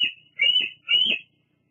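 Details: Evening at the Fraser Point nest, 17 July 2022: a female bald eagle resting and preening gives three loud, high, slightly buzzy whistled notes in quick series, each about a third of a second, recorded on a nest live cam.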